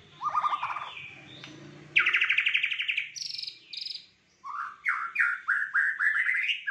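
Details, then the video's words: Fighter white-rumped shama delivering a rich varied song: low whistles, a rapid buzzy trill, high piercing notes and a run of repeated upslurred whistles. "Murai batu Fighter isian Mewah"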